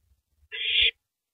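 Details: Single raspy hissing screech, under half a second long, from a female owl tearing at a big rabbit in the early morning of April 9, 2012; faint low bumps around it.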